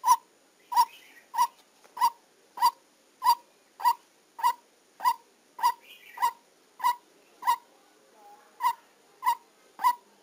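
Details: Decoy white-breasted waterhen calling during trapping: a long regular series of about seventeen sharp, ringing, nasal notes spaced around 0.6 seconds apart, with faint background hiss and a few soft distant sounds.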